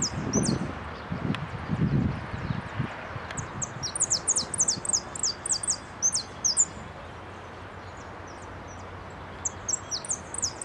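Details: Saffron finch in a singing contest, placed second, repique-style song, 15 January 2012: rapid high chipping phrases of downslurred notes in repeated bursts, with some low thumps and rustling near the start over constant background noise.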